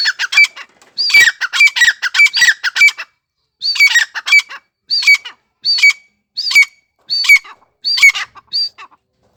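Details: Francolin calling in bursts: a fast run of harsh rasping notes, a pause, then shorter squawky phrases spaced about a second apart, each with a sharp squeaky rising note.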